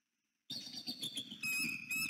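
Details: Bald eagles at a northeast Florida nest, 6 November 2019, early morning on a nest camera: a mate flying in greets the other loudly with a rapid run of high, squeaky, harmonic chirps that builds into thinner piping whistles, over low rumbling background.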